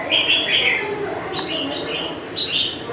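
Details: Red-whiskered bulbul, semi-wild and caged five months, gives quick clear chirping song phrases, a burst at the start and another near the end, over a background of low murmuring voices.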